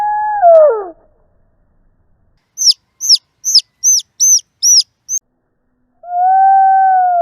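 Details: Baby chicken calling for its mother, filmed on a Panasonic DMC-GH3: a falling low slowed-down call, then seven quick, high, downward-sweeping peeps at normal speed, and finally a long, steady, low slowed-down tone.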